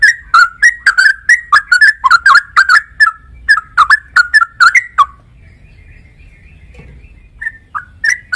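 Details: A trucuk, the sooty-headed bulbul, chatters out five seconds of fast warbling whistle notes, then a quiet pause with faint distant notes, before a few more whistles at the close.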